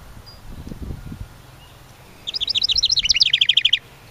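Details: Summer house wren near its nest in a ceramic birdhouse by the main cabin, landing on perches: a brief low rustle, then a quick high jumble of notes that drops into a steady rattling trill for about a second and a half.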